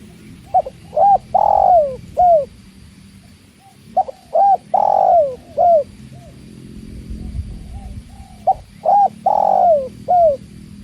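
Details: Spotted dove (tekukur) repeating its cooing phrase three times in about eleven seconds. Each phrase has quick short notes, a long sliding coo and a falling final note, with gaps of soft background noise.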